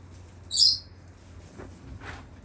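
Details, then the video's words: A pet Senegal parrot gives one loud, shrill, high scream about a quarter second long, its attention call whenever people walk away, with faint household sounds around it. "Senegal Parrot screaming for attention in the background"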